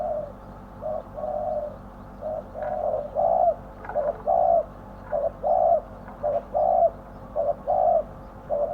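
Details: Caged spotted dove calling as a lure for wild birds; continuous low cooing, short notes and longer rolling coos repeated nearly every second, with occasional soft clicks behind.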